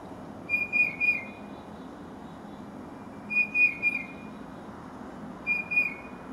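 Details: Tufted titmouse singing while a Carolina wren listens nearby: three phrases of clear, slightly descending whistled notes, each phrase a quick run of three slurred notes, repeated about every two and a half seconds over a low steady hum.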